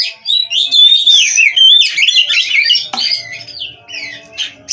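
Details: Oriental magpie-robin kept in a cage singing long wavering whistled warbles, then softer scattered notes after a sharp knock, with a faint steady hum.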